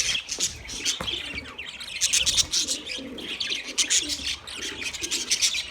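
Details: Budgies chirping in a lively flock, rapid bright tweets and scratchy trills coming in dense bursts, a faint low murmur behind them.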